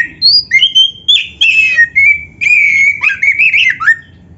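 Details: Oriental magpie-robin in full gacor song with full isian, recorded as a masteran for training other birds: loud clear whistles, a long sustained warbling phrase, and quick stuttering notes, all bright and strong.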